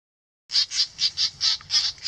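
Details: Great reed warblers in a dense reed bed giving harsh, rasping alarm notes near their nest, about four per second in an even run, mobbing a 3D-printed common cuckoo decoy.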